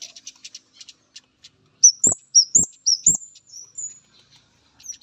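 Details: A male orange-headed thrush meets a female and answers with soft ticking, then three loud, high, swooping chirps in quick succession, each paired with a low thud.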